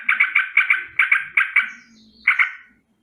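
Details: Sooty-headed bulbul giving an alarm call in the morning: harsh rolling notes in quick pairs, repeated in short bursts with brief pauses, a faint whistle in a gap.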